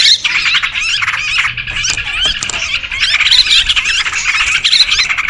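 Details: Sooty-headed bulbuls in a noisy lure recording used to attract birds: a dense, busy chorus of overlapping chattering and squeaky calls, with short rising and falling notes running without pause.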